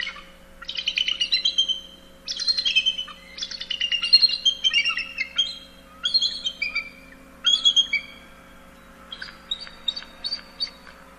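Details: Bald eagle chattering in bursts of fast, harsh, high-pitched notes, each burst slightly falling, repeated about every second, then thinning into a few softer piping notes.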